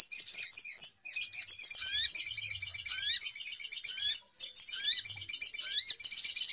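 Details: Little spiderhunter calls used to lure birds into traps: rapid, high chip series running almost continuously, with upward-sweeping whistles recurring every second or so.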